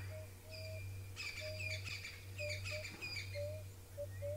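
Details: At sunrise on 27 August 2017 at Galigo Pan waterhole, Djuma Game Reserve, a blacksmith lapwing gives sharp, metallic 'tick tick' alarm calls in quick bursts, upset by a male lion drinking, among thin whistles from other birds over low rumble.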